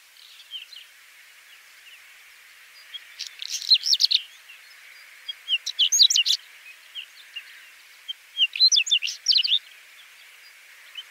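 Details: Three well-separated song bursts from a Whinchat, each a second or so of fast scratchy twittering mixed with thin whistles, spaced roughly every two to three seconds over a soft hiss.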